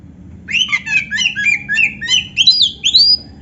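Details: Oriental magpie-robin delivering canary-style phrases for training caged birds: a brisk string of about a dozen looping chirps that ends in rising whistled slurs.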